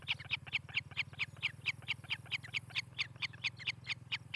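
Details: Nest-camera recording of an osprey pair's nest in Charlo, Montana, 18 July 2018, mid-morning: rapid run of piercing, whistled chip notes, roughly four each second, with a constant low hum underneath.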